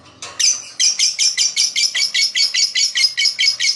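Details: Lovebird chirping, described as used to attract other birds: a rapid series of short, harsh, high chirps repeated about two to three times a second, fairly steady in loudness after a brief pause near the start.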